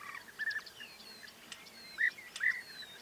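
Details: A few rolling, trilled European bee-eater notes stand out among thin whistles and chirps from other birds. Faint scattered clicks are also heard.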